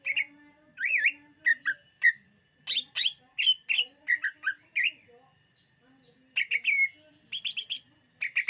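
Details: Greater green leafbird singing, used to lure other birds: rich whistled warbles and chirps in rapid sequence, a pause, then buzzy high bursts and more whistles.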